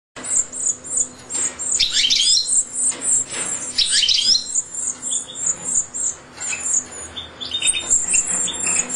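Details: European goldfinch chicks being fed in captivity give a constant, very high, thin wheezy twitter, with louder tumbling chatter bursts sweeping downward every couple of seconds.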